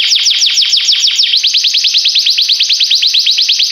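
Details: Canary in song: a quick burst of steep falling notes about every tenth of a second, flowing into a long, very rapid, evenly pulsed high trill.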